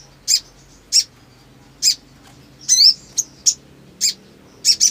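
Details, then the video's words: Black sunbird in breeding condition sings high, sharp chips at irregular intervals, interrupted once by a quick descending swept phrase, over a quiet background. "SOGON GACOR BIRAHI"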